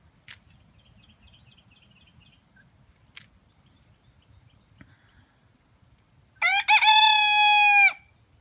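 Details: Mostly quiet with faint ticks and distant chirps, then near the end a rooster bursts into a loud crow: stuttered start, long held note, abrupt stop.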